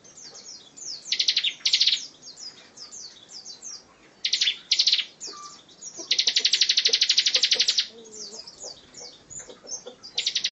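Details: Dense 'tembakan rapat' song of a bar-winged prinia, used as filler for training other songbirds. Short bursts of high notes lead into a sustained rapid trill lasting nearly two seconds, then further brief bursts.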